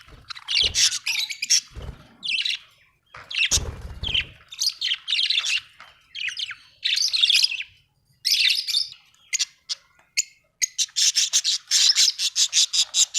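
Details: Happy budgerigar chirping: a run of separate scratchy warbled phrases with silences between, ending in a fast series of short, clicking chirps repeated several times per second.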